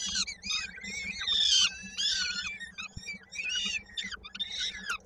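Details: At a Koszalin nest in Poland on 16 May 2022, peregrine falcons cry during a feeding where a young bird's foot is caught in a beak. Rasping, wavering screams repeat in quick overlapping bursts over a faint constant hum.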